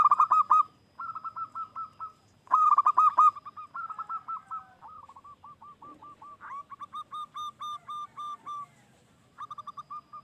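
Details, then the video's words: ['Lively local wild zebra dove cooing, used as a lure for other doves. Several long runs of rapid, evenly spaced mellow notes rise and fall in loudness, with brief gaps between bouts.'] "Perkutut Lokal GACOR,suara khas idaman para pemikat"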